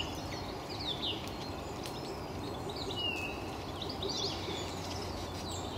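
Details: A flock of Eurasian siskins feeding in Cassiobury Park in the morning gives thin, high twittering chirps and a drawn-out descending whistle, scattered through a steady hiss of background noise.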